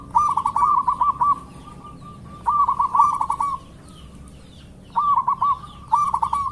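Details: Actively singing local zebra dove used as a master recording to lure singing: rolling bursts of hooked, bubbling coos, separated by pauses of a second or more.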